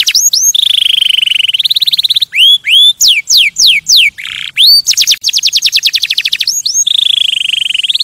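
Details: Canary singing to stimulate other birds for mating: steady rolling trills, then slow loud swooping whistles about three per second, a rapid dense trill, and a final rising buzzy roll, clear and close.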